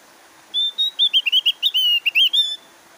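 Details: Javan grey-throated white-eye, kept as a cage bird, sings a fast string of sweet, high whistled notes, some sliding and warbled, around a dozen in two seconds, over a soft steady hiss.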